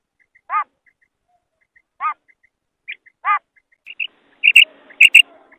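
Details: Female common quail (Coturnix coturnix) calling: three short, reedy, harmonic notes spaced over a second apart, followed by higher, sharper chirps and faint clicks.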